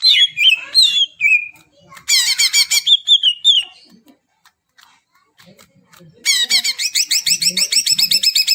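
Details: Greater green leafbird song, meant to stimulate birds that have not begun to sing: varied whistled phrases and rising slurs, a burst of harsh rapid notes, a quiet pause, then a long run of fast, evenly repeated sharp chattering notes.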